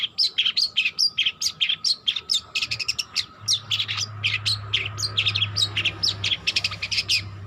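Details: Young long-tailed shrike still learning to sing, giving a continuous chatter of sharp chirps and scratchy buzzes at a rapid even pace, with a low droning hum rising midway.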